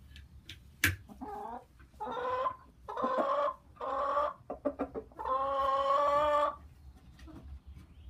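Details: Chicken cackling: a run of short, nasal, rising clucks builds into a long, strained squawk before trailing off into quiet background hum.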